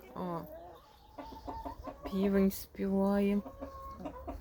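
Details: A rooster crows in two drawn-out, strongly harmonic notes with a brief break between, on a warm, sunny 22 April 2024 morning as hens walk about; a man talks quietly before and after.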